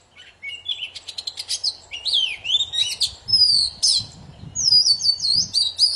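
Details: Poci bird song, used to prompt silent birds to sing again: a lively, varied string of high whistles, fast trills and looping slurred notes that rise and fall, almost continuous, with faint low background hum.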